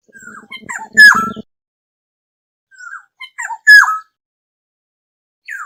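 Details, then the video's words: Lure call of a black-hooded oriole for gathering a flock. Loud downslurred squawky notes, each led by soft short whistles, with two main bursts. A low buzzing hum sits under the first burst. "Tiếng chim Vàng anh đầu đen mồi gọi bầy chuẩn mp3 | Black-hooded Oriole call sound"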